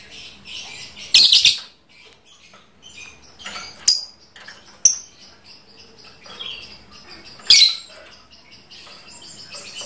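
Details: Caged lovebird, described as trondol, calling in the ngekek style: short harsh high-pitched bursts recurring every few seconds, linked by thin squeaky chirps over a quiet room background.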